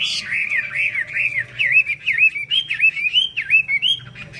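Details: Chinese hwamei giving its 'hót xòe' song while playing eagle wings: a steady series of rounded, looping whistles, each rising and falling, repeated roughly three times per second, with a soft low hum beneath.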